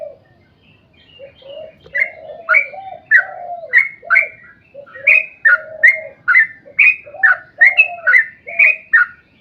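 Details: A sooty-headed bulbul in vigorous song of the long 'ropel panjang' style, used to coax other bulbuls to sing. After a quieter start come steady, regular phrases, each a sharp bright note over a low, rounded warble.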